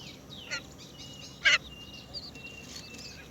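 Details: A great myna that has found a cricket to feed its baby gives two short, harsh rasping squawks about a second apart, with thin high whistles and soft chatter from other birds.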